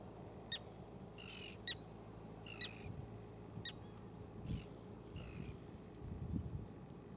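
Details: Common tern with two grown chicks: short, harsh rasping notes about once a second, mixed with sharp high ticks, over a steady low rumble of wind or distant traffic.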